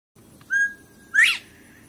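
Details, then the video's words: A Northern Bobwhite gives a clear whistled note, held level, then a sharp upslurred 'white' at the end, over a faint low hum. "BobWhite Quail | white Quail sound"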